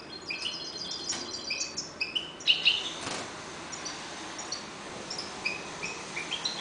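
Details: Breeding European goldfinches in a cage give soft, scattered high chirps and a few louder sharp notes near the middle, with a brief noise burst and quieter gaps.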